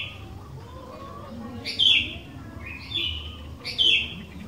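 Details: Energetic sooty-headed bulbul song for drawing other bulbuls to sing: three short, liquid whistled phrases, roughly one per second, each sliding downward after a sharp start, over quiet background hum.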